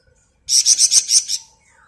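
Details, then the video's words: Flamboyan bird singing ngebren style for masteran training: a single rapid burst of six shrill, high chipping notes delivered evenly in under a second, then quiet. "Burung Flamboyan Gacor Ngebren mantap buat Masteran"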